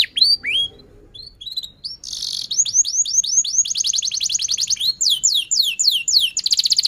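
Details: Canary singing long and excitedly, used as a lure to teach young canaries and prompt stalled ones: scattered chirps, a short buzzy burst, then rolling repeated trills and falling sweeps building in intensity.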